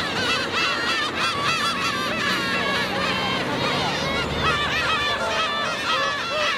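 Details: Black-tailed gulls in a dense chorus of harsh, nasal, cat-like mewing calls, many birds overlapping without pause, as adults attack a chick; wind and a low background rumble run underneath.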